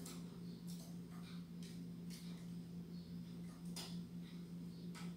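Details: Steady low electrical hum with faint scattered ticks and clicks in a quiet room; no animal voice stands out.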